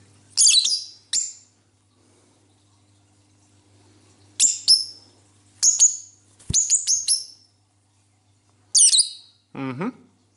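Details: Indoor cobalt lovebird calling while its owner talks to it: clusters of sharp, high chirps and twitters, then a lower, buzzy descending squawk at the end, with a faint background hum.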